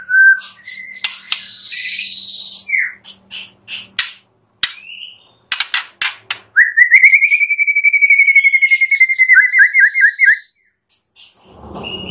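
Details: Master recording of a white-rumped shama's clear, fill-in-rich song, played to coax other shamas into singing: scattered whistles and clicks, then a long, rapidly pulsed trill that ends in quick downslurred notes.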